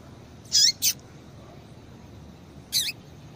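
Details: A female double-collared seedeater's call, used to get males excited and singing; two sharp, high chirps with a falling tail in quick succession, a pause of nearly two seconds, then one more slurred chirp, with faint hiss behind.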